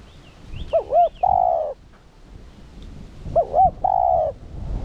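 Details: Spotted dove used to lure and excite wild birds: two phrases, each a pair of looping hoots then a sustained coo, with faint high chirps of other birds.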